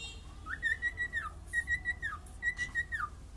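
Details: Cockatiel singing: three clear whistled phrases, each a quick rising note into a level, slightly wavering tone that drops at the end, spaced about a second apart, with low steady hum behind.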